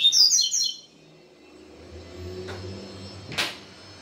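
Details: Yellow-bellied seedeater (papa-capim) in the Israel song style, stirred after a day with a female: a brief burst of fast, high, tangled whistled notes in the first second, then low rumbling wind and a couple of clicks.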